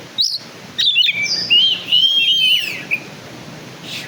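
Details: Oriental magpie-robin of the black-and-white kacer type, kept by bird-song fans, delivering sharp opening chips followed by a sweet, sliding whistled phrase that rises and drops, with a quiet low hum behind.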